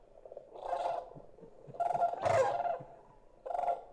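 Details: A young greater sandhill crane chick of the Rocky Mountain population, Colorado, gives three rough, rolling trilled calls, the middle longest and loudest; chicks keep this call until spring, not getting the deeper voice for almost a year.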